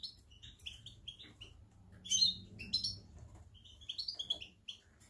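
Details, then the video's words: European goldfinch in October giving scattered liquid twitters and short trilled phrases over a low steady hum. "Jilguero parva octubre 23/19"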